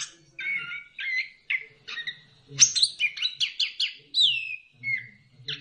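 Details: Orange-headed thrush song for stimulating birds to sing: slurred whistles build into a rapid run of sharp, rhythmic chirps and a falling whistle, with a low background hum.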